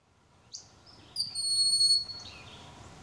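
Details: Broad-winged hawk calling in Ontario: a brief faint whistle, then one high, thin, drawn-out whistled note lasting about a second and easing slightly downward at the end, over a quiet background.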